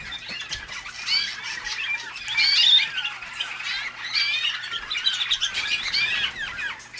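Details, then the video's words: Waterslager (malinois) canary song, bird hatched in North Canton, Ohio, USA: continuous rolling, warbled and trilled phrases with bright whistled notes, swelling louder near the middle and repeating in waves. "waterslager canary"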